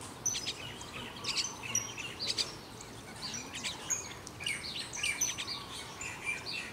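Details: Common Waxbills in the morning at Kailua-Kona, Hawaii, on June 1, 2021, give thin, high, nasal chips and short buzzy notes in busy overlapping chatter over a steady background hiss.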